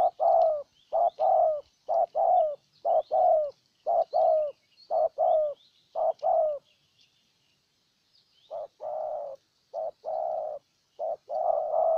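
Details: Spotted dove decoy, Ninh Thuận, Vietnam, luring a wild bird with rapid short-long coo pairs. The pairs come roughly every second, pause briefly, then resume more softly. Faint high chirping sits behind.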